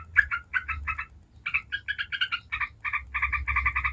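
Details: Lure song of a yellow-vented bulbul in ngebren style: grating chattering notes in quick clusters, a short pause near the middle, then a denser run of rasping notes, with low background hum.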